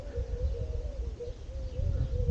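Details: Turtle doves cooing in the morning at a campsite in Zambujeira, Portugal, April 2022: a soft, low, continuous purring coo wavering gently, over heavy low rumble from wind and footsteps.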